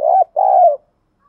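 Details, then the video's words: Decoy spotted dove cooing strongly, used daily to provoke other doves: a mellow low coo in two parts, a short note then a longer steady one, with silence after. "Chim Cu Gáy Mồi Cây Gáy Sung Dùng Kích Bổi Mỗi Ngày"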